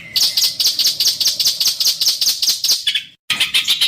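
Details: Harsh 'besetan kasar' master song used for training contest birds: rapid, regular high chattering notes, about two or three per second, with a brief pause before the burst resumes.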